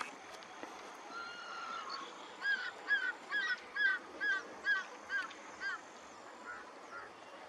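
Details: A hungry flock of non-breeding black-breasted weavers in a field in the Goverdhan-Mathura area, India, in December 2022, gives a run of nine short, nasal, slightly honking calls about every third of a second over a steady hiss.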